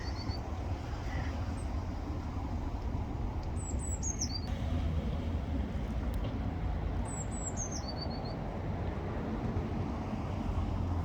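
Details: Blue tit song in two phrases several seconds apart, each a few very high thin notes sliding downward into a brief rapid trill, heard against constant low traffic-like rumble with a faint chirp early on.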